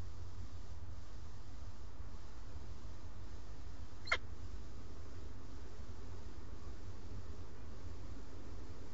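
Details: A low steady hum fills the recording, broken once midway by a single sharp click; no animal voice is heard.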